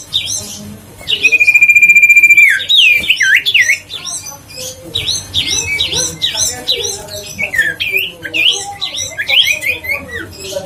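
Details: Huyt co bird singing, used as a lure to make lazy birds sing again: a long buzzy held whistle at first, then many rapid, varied whistled and chattering notes continuing steadily to the end.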